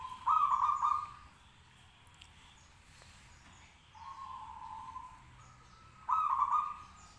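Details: Local zebra dove singing vigorously to provoke other doves to answer: bursts of soft, rapidly pulsed cooing notes, spaced by pauses of a few seconds, over quiet background.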